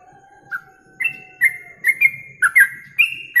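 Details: A yellow-vented bulbul on a contest-training masteran recording: a soft whistle, then quickening bright whistled notes with clicky starts; a faint low tone and quiet rumble sit in the background.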